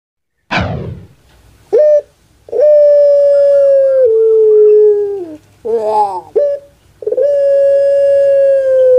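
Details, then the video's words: Kept Pelung turtle dove cooing: a short note, a brief rough gurgle, then a long, steady, drawn-out hoot held about two seconds before dipping lower, followed by another sustained note; quiet background. "KONSER ANGGUNGAN PUTER PELUNG"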